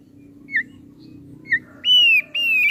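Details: Thick-billed heleia giving two soft short chirps, then long loud level whistled notes that slide slightly downward; low background hum.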